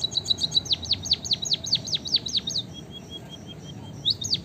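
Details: Emprit kaji, the white-headed munia, in full song: a steady string of high, piercing chirps falling in pitch, about two or three per second, a brief pause, then the series starting again.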